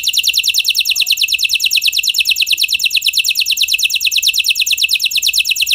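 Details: F1 canary song used as a lure to set other canaries singing: one steady, very rapid, high rolling trill of evenly repeated notes that runs without a break from start to end.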